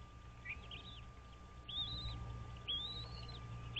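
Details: Bald eagle calling from its nest on Dale Hollow Lake, a 30,000-acre reservoir on the Kentucky-Tennessee state line, nest camera, 06:05 on 06.03.2023: three high, thin, slurred whistles, each longer than the last, with a faint steady hum.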